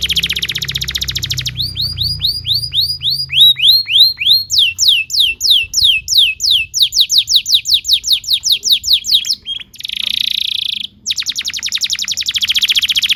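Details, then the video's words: Long canary song used to train young canaries: buzzy rolling trill, curved whistles, then a long run of fast swept notes, a dense buzzing section and another rapid rattling roll. "PANCINGAN KENARI GACOR DURASI PANJANG UNTUK MASTERAN KENARI PAUD BELAJAR BUNYI DAN GACOR"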